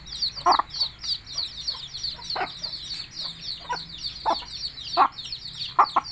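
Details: Hen calling her chicks to come and eat, giving abrupt low clucks at uneven intervals, sometimes in pairs, while many chicks keep up a busy chorus of high, piping downslurred peeps.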